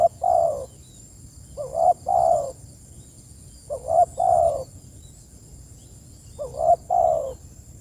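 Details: Spotted dove calling to its companions with repeated hollow coos about every two seconds. Each phrase has a stuttering wavering start and a rounder drawn-out close. A faint constant high-pitched hiss is heard.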